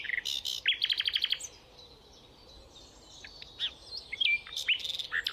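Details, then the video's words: Rufous nightingale singing varied, high phrases: a short bright burst, then a rapid string of about eight clipped whistled notes, a pause, and scattered sharp upslurred whistles and chirps. "Rufous Nightingale"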